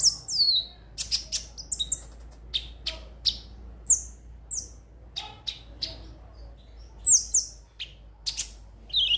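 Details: Lure song of the crimson sunbird (konin): high, piercing notes sweeping down in pitch, interspersed with short sharp chips at irregular intervals, with a soft background hum.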